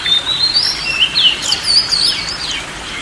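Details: Oriental magpie-robin (kacer) song for calming a stressed bird or one that will not sing: a loud, continuous run of bright whistles that sweep up and down and loop back, with tight, rapid phrasing, over soft background noise.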